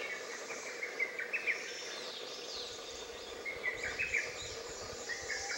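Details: Izu thrush (Turdus celaenops) on Miyakejima, 20 May 2011, gives two short bursts of chirpy, slurred notes about three seconds apart, over a steady insect hum and soft hiss.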